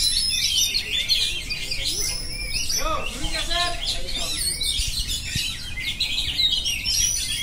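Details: Oriental magpie-robin in continuous rolling song, a thick stream of bright, rapid whistled notes and twitters, broken midway by a short run of lower, stacked nasal notes before the high chatter resumes.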